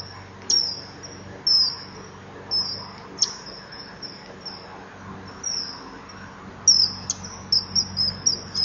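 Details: Common kingfisher at a nest-wall camera, 23 July 2015, 20:44: the male fends off a juvenile begging for fish, stretches up and calls (female possibly nearby), giving shrill, high thin whistles, some sharp and short, others drawn out, over a faint hum.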